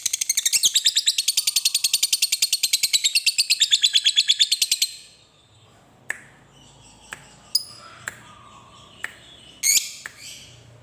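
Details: Lovebird ngekek song, a long chatter played to encourage other lovebirds to sing: nearly five seconds of quick, regular, harsh high notes, followed by quiet with a few scattered sharp chirps and clicks.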